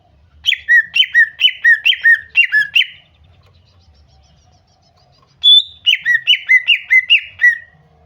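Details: Repeated falling two-part notes from a female greater green leafbird, used to lure a male to sing. About seven notes come in a quick run, then after a gap a drawn-out high whistle leads into another run of six or seven.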